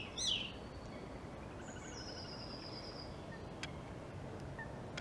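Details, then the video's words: A European robin gives a sharp, falling opening note, then a long, thin, high whistle and a few faint ticks over steady background hiss. "European Robin Call Song"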